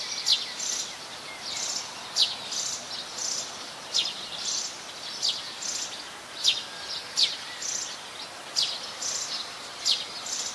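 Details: Plain-backed sparrow (Passer flaveolus), common resident, in Ubon Ratchathani, Thailand, on 17 January 2020, giving sharp, high chirps, a few each second in loose bursts, over a steady background hiss of insects.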